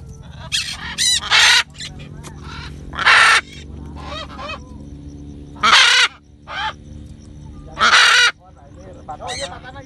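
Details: Free-flying macaws in Bandung give loud, harsh, raspy squawks in bursts of about half a second, repeated several times, with a person speaking briefly.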